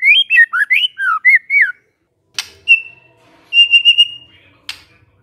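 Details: Magpie-robin song used as a lure for a silent bird: a quick string of looping whistled notes, then clicks and a thin, trilled, sustained whistle.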